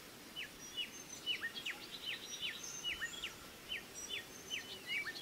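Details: Female pied fantail feeding chicks. Crisp, high, down-slurred chip notes repeat about every half second, with fainter thin whistles above.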